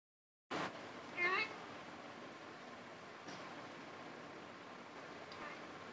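A rose-ringed parakeet utters one short, nasal, wavering word, like a squeaky voice saying "janu", over steady background hiss with a couple of faint knocks.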